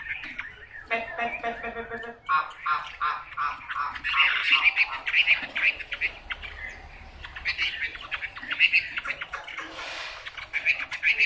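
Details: Chinese hwamei delivering a long, rich song of rapid varied phrases, trills and harsh chattering notes, loud and continuous for about eleven seconds.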